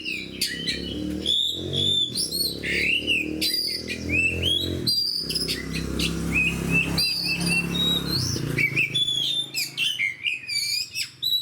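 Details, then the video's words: Vigorous oriental magpie-robin song in fighter style: rich whistled phrases mixed with harsh rasping bursts and rapid chirps, a faint low hum behind, quieter toward the end. "DENGAR SUARA KACER GACOR DAN FIGHTER"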